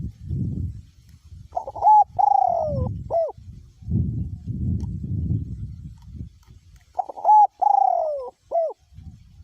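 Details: Caged spotted dove used as a decoy bird, singing in strong wind. Two three-part coo phrases, about five seconds apart, each with a long downward-gliding middle note, between bursts of low wind buffeting.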